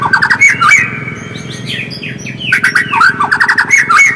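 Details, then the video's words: Shama singing, played as a lure to spur other birds into full song: rapid chattering bursts of bright whistles and chips, a short lull with faint high notes, then dense twittering phrases resume; low droning rumble beneath throughout. "PANCINGAN MURAI AGAR GACOR DENGAN SUARA ASLI"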